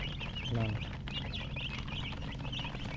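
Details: Group of chicks chirping, short high falling peeps repeated quickly, with a brief lower voiced sound near the start and a steady low hum.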